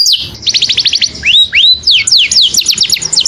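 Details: Saffron finch calling to a companion, giving rapid clipped downward notes, two long arching upslurred whistles, then more quick descending strokes; faint low background hum.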